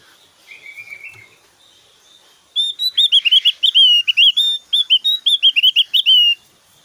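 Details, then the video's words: Javan grey-throated white-eye in full, varied song with loud whistling and rapid bursts. A soft low whistle comes first, then a four-second burst of fast, bright, looping whistled notes delivered in quick succession. "SUARA SIULAN JUGA TEMBAKAN 💯 DAHSYAT BURUNG OPIOR JAWA GACOR"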